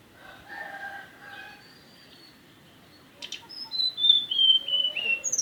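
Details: Mountain tailorbird singing a rapid run of sharp, high whistles that slide downward, ending in bright upward flicks, after a quieter opening of a few mid-pitched, even notes.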